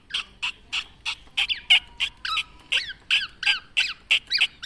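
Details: ['Tame Javan black-naped oriole repeating harsh, scratchy notes about three times a second, some notes arching up and down, in a steady, busy run with a faint low hum in the background.']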